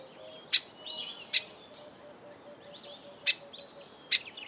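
Grey sunbird giving sharp, high chipping notes in two pairs, with soft high twittering between them and a faint low hum throughout.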